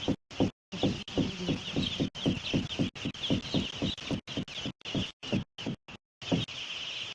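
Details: Day-old broiler chicks on arrival at a poultry farm in Batoke, Limbe, Cameroon, a dense chorus of many high peeps running together, with rhythmic rustling and knocking beneath and repeated brief dropouts.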